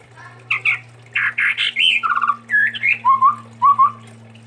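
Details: Sumatran chestnut-rumped babbler, a songbird favoured by keepers, sings a quick mix of harsh buzzy notes, bright whistles and rising slurred phrases, ending with two paired upslurred whistles over a low steady hum.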